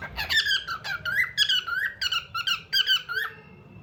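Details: A bird chatters indoors with a steady stream of high, squeaky whistled notes that swoop up and down, about a dozen quick phrases, ending with a thin, held tone.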